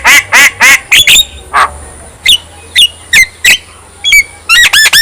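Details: Javan myna song used to stir other mynas into singing: a few loud grating squawks, then sharp, spaced whistled notes roughly every half second, ending in quick repeated squeaks.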